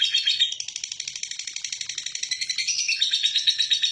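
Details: Lovebird ngekek in a relaxed style, meant to lure other lovebirds into song. A quick, buzzy, high trill pulses steadily, shifting slightly in pitch toward the end.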